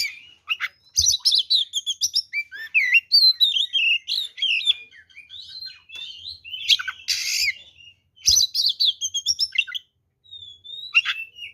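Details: Oriental magpie-robin pouring out a long, full fighting song intended to provoke rival males: continuous fast chirps, whistled slides and mimic-like phrases, interrupted by a couple of harsh scratchy bursts, with soft low thumps beneath.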